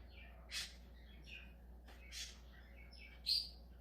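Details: Budgerigar making a few scratchy chirps and one sharp high squeak at the end, spaced about a second apart, over a low hum.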